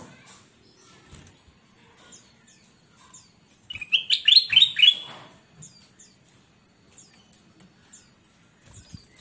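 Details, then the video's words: Gacor golden kutilang bulbul used as a master recording to train newly bought market birds that are reluctant to sing. A loud burst of rapid, descending whistled notes comes midway, with faint high chirps scattered before and after. "Burung kutilang Emas Gacor buat masteran burung bahan Ombyokan yang Malas Bunyi"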